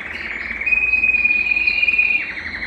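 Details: Belgian canary song for warming a cold canary: a short steady trill with a thin, pure whistled tone held across it, moderate loudness throughout.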